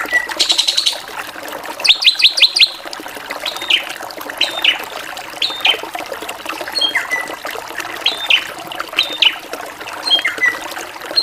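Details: Drongo in varied song: a buzzy burst, then a fast volley of sharp chirps, followed by scattered whistled notes and short descending slurs spread across the phrase. Continuous water-like hiss throughout.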